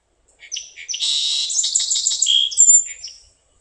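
Song Sparrow song: a few sharp, accented opening notes, then a dense buzzy jumble, closing with a bright trill and a thin high whistle.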